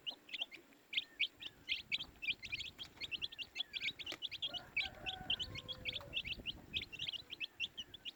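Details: Baby chicks chirping in a loud, continuous chorus of high short peeps, with low rumbling noise and faint tones in the middle.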